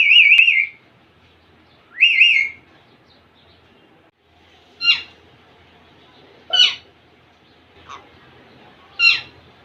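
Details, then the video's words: Young male Indian ringneck parakeet trying to impress a female: two high wavering whistled trills, then a series of sharp short shrill squeaks spaced about a second or two apart in a quiet room. "baby mail parrot impress female ringneck"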